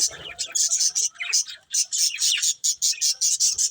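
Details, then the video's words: Budgerigar breeding pair giving rapid bursts of high, scratchy chirps in quick pulses, with a soft low rustle at the start. "Cute Budgies Chirping Sounds | Love Birds Breeding Pair"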